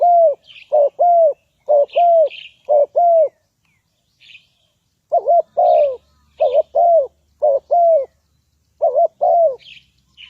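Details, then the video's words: Spotted dove serving as a trapping lure calls in long series of low mellow coos, doubled wavering notes and longer falling hoots in quick succession, with brief pauses and light high chirping from other birds overhead. "Tekukur pikat,Bẫy cu gáy bằng mồi"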